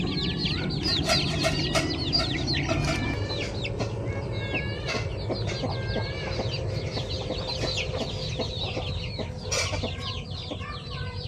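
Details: A flock of pet chickens, new members among them, gives dense, high, downslurred peeping over lower clucks and a continuous farmyard murmur. One brief wing flutter is heard.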